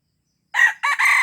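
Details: Red junglefowl from Aceh, its call used to lure wild junglefowl: a loud, hoarse crow in three bursts, a short harsh note, a rising middle note and a long raspy final note that is cut off, against silence.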